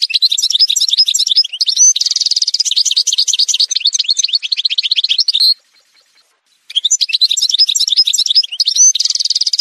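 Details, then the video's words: Algerian goldfinch, parva form, in a song montage: a dense run of fast liquid twitters, buzzy trills and tinkling notes, broken by a one-second gap before the song resumes. "chant chardonneret montage"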